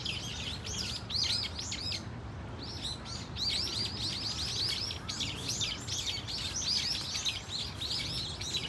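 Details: Flock of Brown-eared Bulbuls calling at Dunsan Grand Park, a dense chatter of sharp, high arched squeaks crowding together, a brief lull near the start, then a steady noisy stream over faint low rumble.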